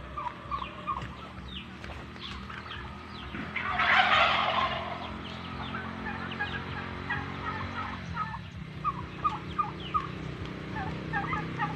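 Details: A group of male turkeys, penned away from the females, keeps up overlapping gobbling and short yelping notes throughout, with a loud rushing burst in the middle and a steady low farm hum.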